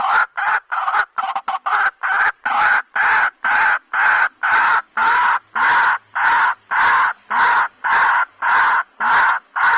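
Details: White-breasted waterhen calling: loud harsh croaking notes repeated steadily, almost two per second, each broad and grating with a thin high overtone, continuing without pause.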